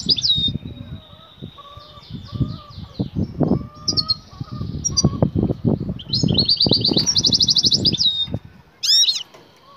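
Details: European goldfinch female in breeding excitement calling the male to mate: scattered twittering notes, then a bright buzzing trill and a sharp high chirp, over frequent low thuds and wing fluttering.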